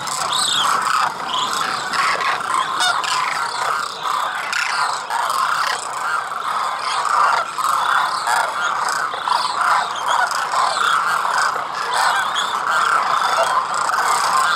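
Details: In rural Khichan village, Rajasthan, India, a large flock of wintering demoiselle cranes keeps up a long, dense chorus of overlapping guttural, trumpeting calls, steady in level throughout with constant crowd chatter.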